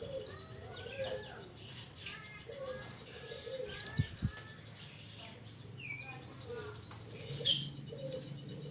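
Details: Mountain mantenan bird calling to its companions with scattered sharp, high downslurred whistles, some doubled, over a quiet background with soft lower chirps and two brief low thumps.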